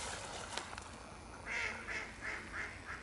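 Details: Mute swan giving a short run of four nasal, slightly hoarse notes spaced roughly a third of a second apart, over steady background hiss and a few faint clicks.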